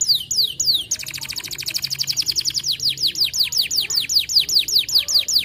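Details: Long-winded white canary song used for training other songbirds: a few descending whistles, then a dense fast trill, then steady repeated downward-sweeping whistled notes, several per second.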